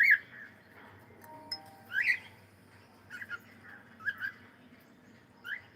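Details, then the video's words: Playing cockatiel singing: short whistled chirps roughly every second, some doubled, over a quiet low hum with a brief faint tonal note in the background. "Cute Cockatiel singing and sound and playing"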